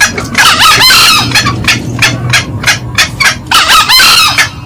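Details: Green junglefowl pair, male and female, in a loud lure recording of cackling: two rasping, wavering bursts bracket a series of quick, sharp clucks, with a faint low hum beneath.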